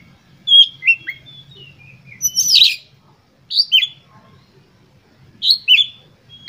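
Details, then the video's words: Oriental magpie-robin singing in full emotion to provoke other birds: short clusters of whistles mixed with a loud harsh burst, phrases separated by pauses of about a second. "Pancingan Kacer Gacor Full Emosi"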